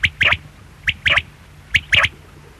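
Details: Three crisp quail phrases, each one short note and then a fast two-note burst, sharp and high-pitched, spaced under a second apart over a low background hum.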